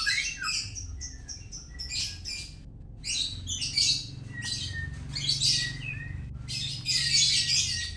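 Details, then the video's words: White-rumped shama (murai batu) from Medan singing a rich, varied song of clear whistles, rattling trills and buzzy bursts in quick phrases with brief pauses. Low background hum runs throughout. "murai batu medan"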